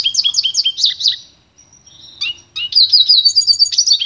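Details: Pure song of a pintagol, the goldfinch-canary cross, used to train others: a rapid run of bright repeated chirps, a short pause with a thin whistle, then another quick twittering trill.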